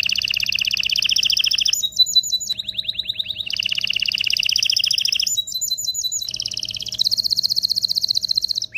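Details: Canary singing to stimulate males and females to mate: loud high trills of rapid repeated notes, switching between tours, with short rising slurred phrases and a fast buzzy high trill at the end.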